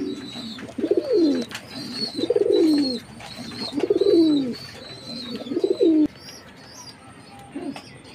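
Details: Jacobin pigeon cooing: four loud, throaty coos, each sliding downward, about every one and a half seconds, then one quieter coo near the end, over a faint steady high-pitched hiss.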